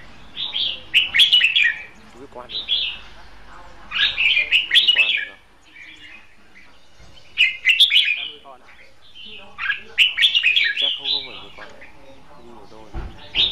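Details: Red-whiskered bulbul decoy kept caged for trapping, singing hót đấu fighting song: loud warbled phrases in bursts every two to three seconds, quieter chirps and faint rustling between them.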